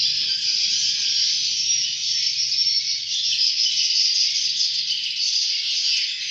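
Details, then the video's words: Swiftlet chicks calling in a dense, unbroken high-pitched chorus of shrill, hissing chirps that runs steadily without pause, with a faint low hum underneath. "Lucunya Anak Burung Walet"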